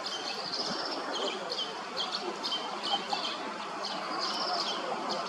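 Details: Common linnets in Hrodna, western Belarus, 12 September 2025: the male of a late brood feeds his fledglings under a bridge. Short high tweets repeat in loose groups over a steady low rushing sound.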